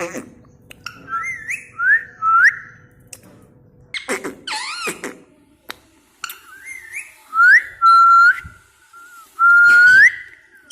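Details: Talking pet parrot, held as a house pet, giving a series of clear rising whistles, each sweeping up sharply at the end, mixed with short harsh chattering bursts and a few brief speech-like sounds in a quiet indoor setting.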